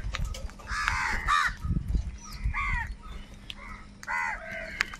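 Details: Loud voices of crows fighting for food: a few drawn-out, hoarse caws with descending harmonic bands, separated by gaps, and a low scuffling thud near the middle.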